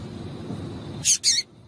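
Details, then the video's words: Female double-collared seedeater call used to stir a male to sing, given as two quick, sharp, high-pitched chips in close succession after a stretch of quiet low hum. "Piado de Fêmea de Coleiro para Esquentar Coleiro"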